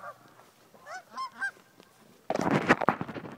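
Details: Geese on a lake in Colorado: three or four clear, nasal, bending honks in quick succession, then a sudden burst of loud rumbling noise that covers the final third.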